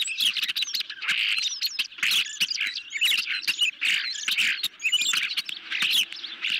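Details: Hungry ospreys at a nest, filmed by a nest camera late on the night of 10 July 2021 as a medium-sized fish is brought in; high, sharp chirps run almost nonstop among dense clicking and rustling nest noise.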